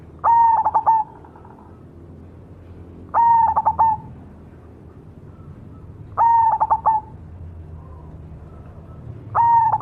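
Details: Actively singing zebra dove of the cemani strain. Four similar phrases repeat roughly every three seconds. Each is a held low coo followed by rapid pulsing notes, over a steady low hum.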